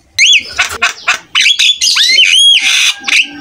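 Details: Jalak kebo (buffalo starling) singing actively, used to prompt other starlings to answer and imitate; loud harsh squawks mixed with rising whistled slurs and bright harmonic notes, varied and dense.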